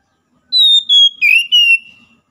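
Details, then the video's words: Caged-bird morning song of an Oriental magpie-robin, used to coax a silent bird back into song: four pure whistled notes, each a little lower than the last, ending in a long level tone, over silence. "KICAUAN PAGI AMPUH MEMULIHKAN KACER MACET BUNYI"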